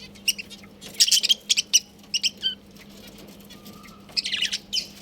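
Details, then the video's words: Colony of pet budgies giving short clusters of squeaky, high chirps, a brief thin whistled tone, then a final buzzy chattering burst, with a low hum in the background. "Budgies Chirping Sounds"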